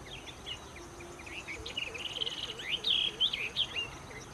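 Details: A pair of yellow-eyed babblers giving bright, whistled, up-and-down chirps in a quickening irregular run, with a softer repeated lower note beneath and steady background hiss.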